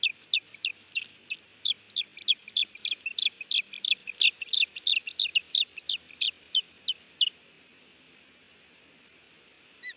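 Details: Wild osprey at a nest at Hellgate, Montana, on 30 June 2019 around 10:55, as strangers land at and pass by the nest after a fish delivery; sharp, high, piping calls repeated two to three per second for about seven seconds, then quiet.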